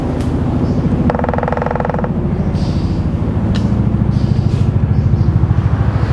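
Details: Heavy vehicle engine rumble throughout, with a brief horn-like tone near the start.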